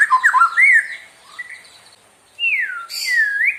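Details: White-rumped shama singing to provoke other birds: a few loud, slurred whistles and a harsh squawk, a near-silent pause, then sweeping whistled notes that fall and rise again.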